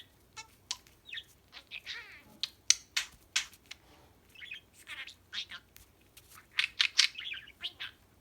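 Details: Pet budgerigar chattering indoors, recorded to help find a lost bird: a steady run of short scratchy squawks, clicks and warbled notes in quick bursts, with brief pauses between phrases.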